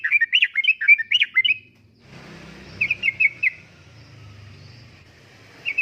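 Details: Sooty-headed bulbul in energetic 'gacor uplik-uplik' song, used as a lure and tutor for caged birds: bubbly, warbled phrases of quick rising-and-falling notes, then a pause and a shorter burst, over a low background hum.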